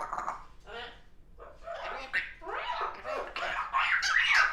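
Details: Young pet African grey parrot chattering indoors in the afternoon, a rapid run of speech-like syllables and babble that grows louder toward the end, with a Yellow-naped Amazon parrot also present in the background.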